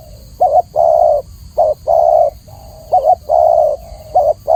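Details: Spotted dove, known in Indonesia as tekukur, giving clear low coos: a short note followed by a longer drawn-out coo, the pattern repeating about every second with faint soft tones between phrases.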